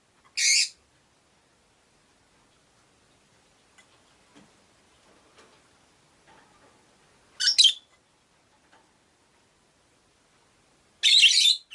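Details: One of five pet rosy-faced lovebirds (Agapornis roseicollis) caged by a window gives three loud, harsh, high-pitched shrieks several seconds apart. Near silence and faint room noise lie between them, with street noise possible.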